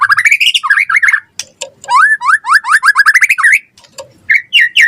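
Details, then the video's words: White-rumped shama, locally murai batu, in lively gacor song for luring and training other shamas: a fast string of slurred upward whistles in two bursts, with brief low notes in between. "Suara Murai Batu Gacor cepat RESPON NYAUT buat Pancingan Masteran Burung Murai Biar Gacor Full Isian"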